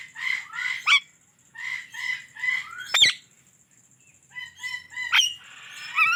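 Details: Indian ringneck parrot giving short bursts of harsh repeated chirps, three or four notes per burst, broken by sharp clicks, then higher thin notes and a buzzy rising squawk at the end.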